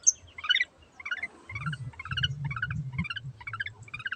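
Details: Long-tailed shrike in full voice: short harmonic phrases of chattering notes repeated about every half second, with a low rumbling hum underneath from the middle onward.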